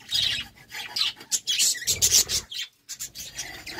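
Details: A pair of budgerigars courting produces raspy, scratchy twitters and short whistled chirps in choppy bursts, with a brief quiet gap near the end.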